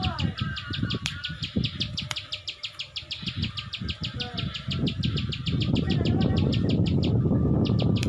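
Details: Plain Prinia (ciwah) in a lively gacor ngebren song: a fast dry clicking series, about three ticks a second, with steady low rumbling noise underneath and a faint whistled bird call in the background.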